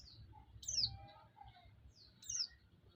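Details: Provoking lure of a white-eye, intended to raise other white-eyes' excitement: two high, clear, descending chirps about one and a half seconds apart, softer twittering around them, and faint low rumble.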